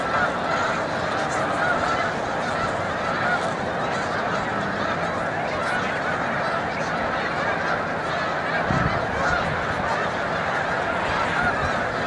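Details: Massed snow geese during migration near its peak at Montezuma, New York, 7 March 2022, birds taking flight; an unbroken wall of overlapping nasal honks fills the whole recording, with a faint low hum underneath.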